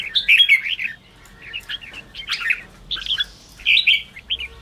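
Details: Red-whiskered bulbul, ché-style song used to rouse freshly caught birds. Short clusters of liquid whistles come in four bursts, separated by brief pauses.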